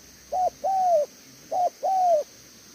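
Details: Spotted dove decoy delivering "thổ tở đèo lò xo" coos: two pairs of a short soft note and a drawn-out mellow coo that tails downward, over quiet steady hiss.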